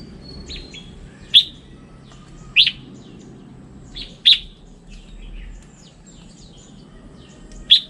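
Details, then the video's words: Red-whiskered bulbul, described as a standard bulbul voice, gives loud, sharp single chirps about every one to one and a half seconds, with faint softer notes between them against a low background rumble. "Tiếng chim chào mào chuẩn"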